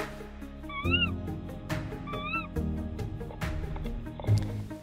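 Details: A female tawny owl in an ash tree nest, brooding two days-old chicks in late May, gives two sharp, wavering, meow-like squeals about a second apart, calling for more food after her mate brings a rat, over soft music.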